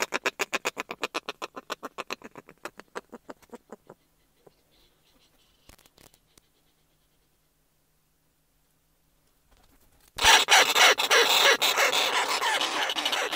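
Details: Close-up calls and courtship calls from a single snow petrel and then a pair: a fast, harsh chattering run of three to four notes a second that fades out, then after a pause a loud, rasping burst.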